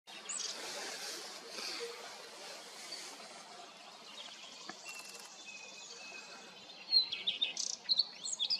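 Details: A common redstart sings a short burst of thin, high, sharp notes near the end, after a long stretch of soft rustling background and faint distant birds.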